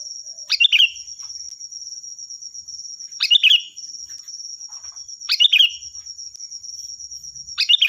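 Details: Loud, clear sooty-headed bulbul song for training other birds: short bubbly phrases repeated about every two seconds, four in all, the last cut off, with a thin steady whine beneath.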